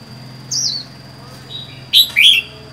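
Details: Caged red-whiskered bulbul housed alone, wild-caught four months ago: one soft falling whistle, then two loud sharp chirping notes close together, over a low background hum and a faint steady high tone.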